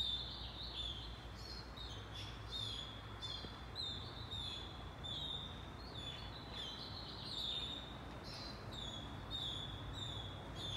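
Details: Say's phoebe nestlings, being fed by their mother and nearly ready to leave the nest, give thin, high, rapid begging chips in bursts throughout, over a steady low rumble of background noise.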